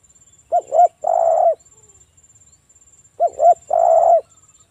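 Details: Loud local spotted dove song used to lure other doves into calling: two clipped rising-falling notes followed by a long, full coo, the phrase repeated twice about three seconds apart, with a thin high whine behind.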